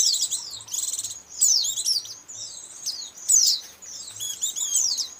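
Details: Loud, dense white-eye chatter from a lure recording for catching these birds: rapid high trills, buzzy rattles and slurred chirps tumbling over one another in near-continuous bursts.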